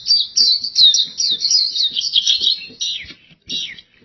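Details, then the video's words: Oriental white-eye (pleci) in energetic gacor song: a rapid, high, thin twittering run of buzzy chirps. The phrases tumble continuously for about three seconds, then come in short bursts before fading. "PLECI GACOR DORR Suara Mantap abis"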